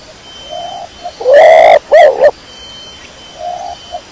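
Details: Close, loud cooing of a dara kecor pigeon: a long rough rising coo followed by two short harsh notes, framed by faint, soft coos in the background.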